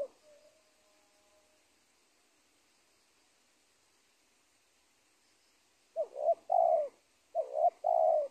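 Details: Wild spotted dove at the edge of a teak plantation on an old corn field, lured by trappers: quiet at first, then low, soft three-part coos repeated twice, with a faint hiss behind.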